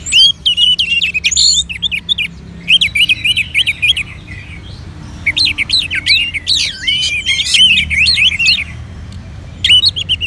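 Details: Orange-headed thrush, a kept Anis Merah being urged to sing with a lure of colony bird voices: bursts of loud, fast, twisting whistled warbles, rising and falling, broken by short pauses, with high sharp chirps of other birds throughout.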